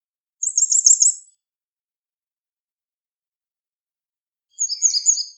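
Grey wagtail singing two short, very high, sharp trilled phrases about four seconds apart, with quiet between them.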